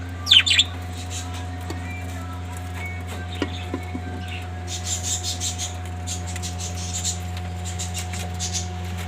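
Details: Breeding budgerigars give a sharp, scratchy squawk, followed by faint, high twittering chirps over a steady mechanical hum.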